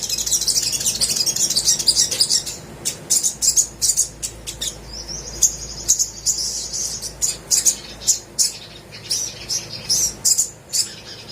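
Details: Little spiderhunter song for coaxing quiet birds into song: an opening high continuous trill, then spaced sharp chirps with a short thin whistle between.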